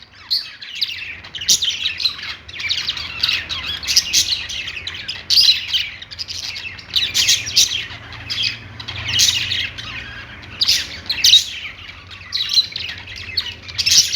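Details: Happy budgerigar chirping: ongoing noisy chatter of several birds, rough warbles and sharp chirps rising in bursts every second or two, over a constant low hum.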